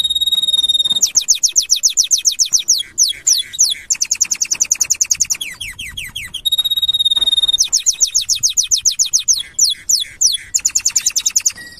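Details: Canary (Serinus canaria) singing in 2025: long, varied phrases of sustained high whistles, then rapid rattling trills and fast repeated notes, with the pattern repeating.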